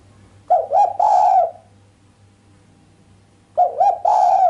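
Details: Two coo phrases roughly three seconds apart from a female island collared dove, sharp and without the 'kuk' ending, said to rouse the male; each has two brief rising notes before a sustained coo, with steady background hum.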